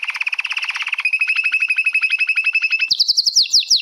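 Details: Song tutoring material from a canary giving a long roll: a dense fast trill that changes into a slower pulsing roll, then ends in higher, sharper repeated notes.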